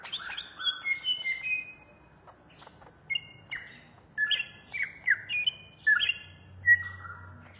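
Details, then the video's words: Cucak ijo, the greater green leafbird, Banyuwangi variety, in agitated ngentrok ngamuk song: bursts of sharp whistled slurs, some rising and some falling, separated by short pauses, with a faint low hum in the background. "Suara burung Cucak ijo Banyuwangi Ngentrok Ngamuk"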